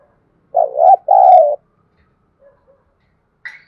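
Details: Spotted dove calling to draw in wild doves, giving two low, hollow coos, the second longer and steady, followed by faint short notes.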